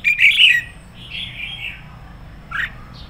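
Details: Red-whiskered bulbul kept as a decoy bird, singing hard in 'sổ bọng căng lửa' style: an opening tangle of bright warbling notes, a softer drawn-out slurred whistle, then a short dropping call.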